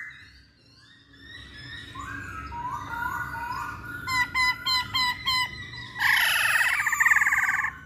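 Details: Masked laughingthrush lure song: rising whistled notes, then six short clipped notes in a row, ending in a harsh, rich burst.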